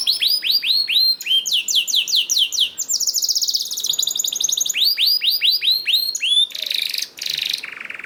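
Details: Canary song used to stimulate other canaries to sing: repeated hooked rising notes in fast rolls, a long buzzy trill, more rolled phrases, then harsher rattling bursts at the end.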